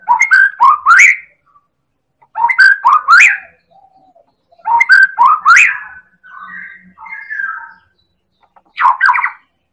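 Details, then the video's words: White-rumped shama of the Medan type, an elite champion bird, singing persistently as a lure to provoke other birds into song: loud clusters of rapid rising whistled notes with sharp clicks, separated by pauses and quieter soft warbled phrases. "Pancingan Burung Murai Batu Medan Super Gacor Elit Juara"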